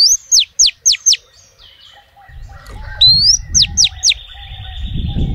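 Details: A female oriental magpie-robin calls to attract males. First come four piercing downward-sweeping notes, then a pause, then a rising whistle and three more falling notes. Low rumbling noise builds in the background.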